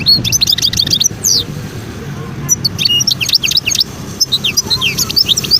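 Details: Wild European goldfinch in Skikda, Algeria, 2022, giving scattered high tinkling twitters and short trilled notes throughout, over a steady low background hum.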